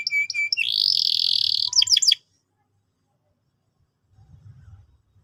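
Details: Canary song used to train young canaries: high whistled notes, a long buzzy trilled roll, then rapid descending sweeps, ending abruptly after two seconds, followed by silence and a faint low rumble.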